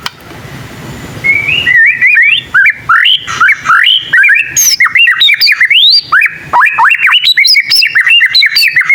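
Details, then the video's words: Young white-rumped shama in song, after a quiet start with faint background hum: fast, jerky series of short whistled and chipping notes, about two per second and irregular, climbing and dropping in pitch. "Suara burung murai batu paling gacor bikin burung murai lain langsung nyaut"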